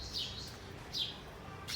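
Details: Sparrows nesting in a small nest on a home balcony chirp in the morning: three short, high chirps about a second apart, each dipping slightly in pitch, over a low, steady background rumble.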